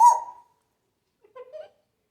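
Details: African grey parrot imitating sounds; one loud, sharp whistled squeak that fades quickly, followed by two soft, short, chirping notes.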